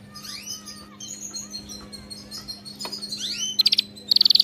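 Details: Canary song used to train pet canaries to sing: high sweeping whistled notes rising and falling, then short bursts of rapid buzzy trills near the end, with a steady low hum beneath.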